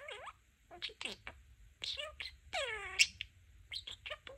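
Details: Talking pet budgie babbling mimicked words in quick, throaty bursts with sliding, harmonic syllables and a sharp high chirp near the middle, then a few clipped chirps. A person says "cute" just after.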